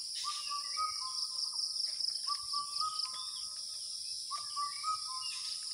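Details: Asian koel calling in early summer, the month of Jyoishtho: clear phrases of short repeated notes, each run rising slightly, heard about every two seconds over a loud, steady high insect drone.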